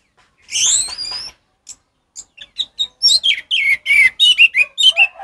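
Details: Orange-headed thrush in loud ngeplong song style, used as tutor song for stalled captive thrushes: a long slurred whistle rising and falling, then a quick run of sharp varied notes and chattering phrases, no background noise.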